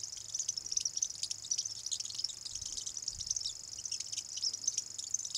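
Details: In Voksa, Norway, a first-calendar-year male common grasshopper warbler reels without a break, a high, dry, insect-like trill held on one pitch, with an adult male's song played back in the background and faint hiss.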